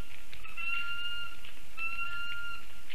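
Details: Lesser spotted eagle family calling close to a black stork nest camera in Ogre municipality, 19 August 2024 around 1:19 pm; two drawn-out, steady whistled notes, each under a second, over constant low rumbling background noise.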